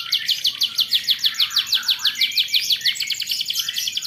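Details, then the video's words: Song of a young canary for teaching other birds to sing, a rhythmic run of high, slightly descending chirps repeated about five times a second, then a denser rolling trill. "BUAT KENARI PAUD LEBIH RAJIN BUNYI"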